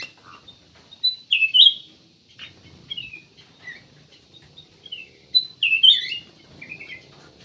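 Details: Ruby-throated bulbul, known locally as cucak emas or kutilang emas, giving loud clear whistled phrases with quick downslurred notes and softer chirps between bursts, against a quiet background.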